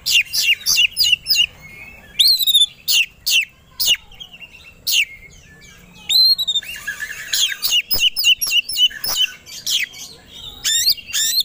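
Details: White-rumped shama singing aggressively after provocation: rapid loud chips and upswept whistles in varied bursts, with a brief harsh rasping stretch midway.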